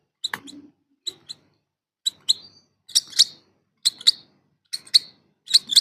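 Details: Hungry lovebird chicks begging: sharp, scratchy high chirps in short bursts, repeated roughly once a second, with louder, harsher double and triple notes toward the end. No other clear sounds.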